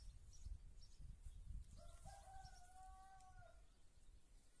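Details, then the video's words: White rooster in an Andalusian olive-grove village before dawn, its crow heard at a distance: a faint, drawn-out crow rising from a short start into a long held note, under steady low rumbling background noise. "Gallo cantando"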